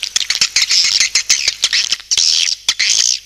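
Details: Swiftlet lure call: bursts of dense, high, buzzy twittering broken by sharp dry clicks, with brief gaps between bursts.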